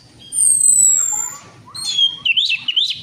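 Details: Orange-headed thrush, kept bird, recording used as a lure to prompt a silent bird to sing: long clear descending whistles, then a quieter rising whistle and a burst of fast, varied warbling notes.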